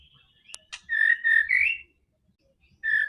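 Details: White-rumped shama, played to coax a silent bird into singing: two short bursts of loud whistled notes separated by a gap, the first ending in a rising slur, preceded by sharp clicks.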